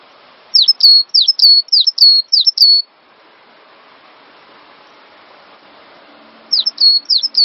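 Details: Singing cinereous tit, recorded as a master track to encourage other birds to sing: a two-second string of sharp, clear downslurred-then-level whistles, a long near-silent pause, then the same phrase resumes.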